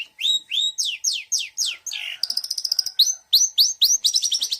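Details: Mixed 'isian' song of a long-tailed shrike: a series of falling slurred whistles, a dense rattling trill, then repeated upward-sweeping whistles ending in quick chips.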